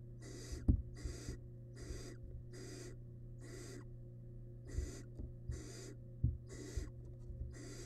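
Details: Wild barn owl nestling in a monitored nest box, devouring large rabbit remains; about ten harsh, breathy hisses in irregular succession, with soft thumps from movement and a steady low electrical hum.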